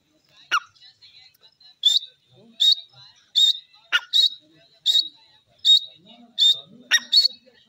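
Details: Grey francolin, locally called teetar, calling loudly with shrill high notes repeated at a steady pace of roughly one every three quarters of a second, a few sharp downward strokes mixed in, over an otherwise quiet background.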